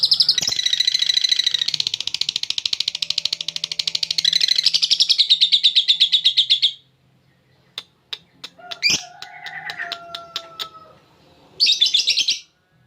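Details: Champion lovebird singing in ngekek style, with cililin-style fill notes, used as a tutor for song training: a long, dense, buzzy chattering trill lasting about six seconds, then scattered sharp chips and clicks, and a final short chattering burst.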